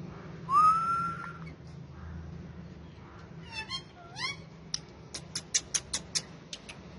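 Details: Captive male ringneck parakeet kept with other parrots: one long clear rising whistle, a pause, quick down-slurred chirps, then a string of dry ticking clicks spaced about every half second.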